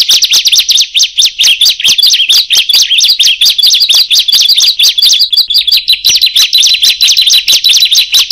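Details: Song of a bar-winged prinia (ciblek/prenjak), played to lure birds: sharp, high, slurred chirps in a steady fast series of about one and a half per second, loud and close, with no other sounds.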